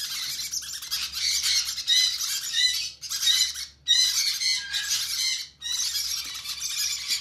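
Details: Begging conure chicks at hand feeding: rough, buzzy squawks in pulsing bursts roughly every second or so, with short silent breaks between bouts.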